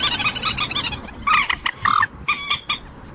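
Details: Common moorhen calling: short harsh harmonic notes, a quick stuttering series early on, then louder separate clucks and croaks in groups of two or three, over a faint hiss.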